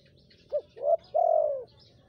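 A Spotted Dove gives three low, hollow coos, a short one, then a slightly longer one, then a long drawn-out note, all around the same mellow pitch.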